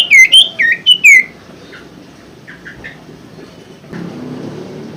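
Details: Common Iora song used to coax a silent caged bird into singing: four or five loud looping whistles at the start, then faint soft notes and low background rumble.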